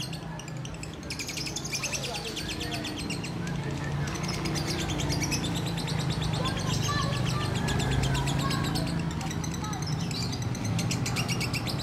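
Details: Lovebird calling in the ngudang style while being held: long trains of quick, thin high chirps, densest in the first few seconds, over a loud steady low rumble of background noise.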